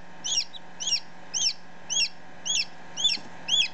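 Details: Chicken chick just hatched, ten minutes old, heard close up giving shrill peeps at an even pace, roughly two per second, each note bending upward then down, with low background hum.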